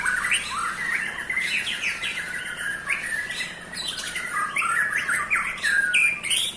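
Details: White-rumped shama song meant to rile rival shamas: fast, busy medley of chirps, trills and whistled slurs, dense and continuous with little pause, mid to high pitched.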